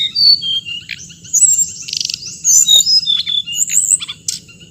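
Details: High, busy bird song of bright whistled chirps, buzzy rattling notes and quick descending slurs, delivered in dense bursts over a constant thin high hum.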